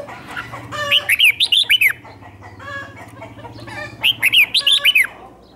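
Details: Lure song of a decoy red-whiskered bulbul: two lively bursts of quick, bouncing whistled notes rising and dipping in pitch, with a soft background hum between them.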